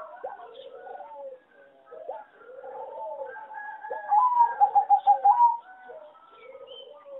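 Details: Competition-type singing zebra dove from a breeding farm, a line bred from a wild mutation and rated a weak singer: several doves coo together, then one bird gives a loud burst of rapid, evenly pulsed coo notes.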